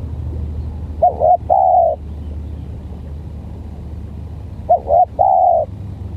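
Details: Spotted dove with an odd voice, in a duel with a stuttering decoy, sings two identical phrases nearly four seconds apart, each a choppy double note and then a sustained coo, over a soft low rumble.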